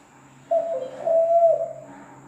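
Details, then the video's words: Zebra dove giving a single drawn-out, low, mellow coo lasting over a second, steady in pitch with a slight dip in the middle, in a quiet setting. "SUARA PERKUTUT"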